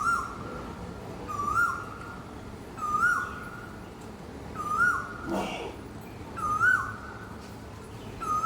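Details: Asian koel perched in a park tree in the morning, giving a clear, upward-hooked note repeated about every one and a half seconds, each note swelling then fading, with one short burst of noise in the middle.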